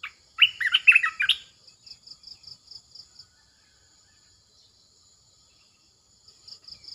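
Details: Caged red-eyed bulbul used as a decoy, giving one short burst of bubbly, slurred warbled notes before falling silent, while a cricket keeps up rapid high pulsed chirps throughout.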